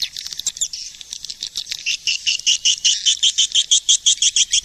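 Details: Swiftlet lure call: loose clicks and chatter settling into evenly spaced, high buzzy pulses, about three each second, steady and loud through the end.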